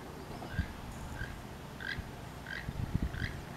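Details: Wild pair of keel-billed toucans calling to each other on the last day of the year: short croaking notes repeated about every half second, faint over low rumbling background noise.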